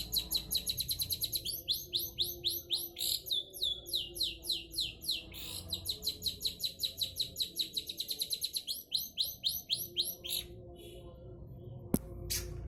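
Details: Long-tailed shrike in lively full song, rapid high downslurred whistles rolled in long even trills, pausing briefly near the end before a sharp click and a few final notes.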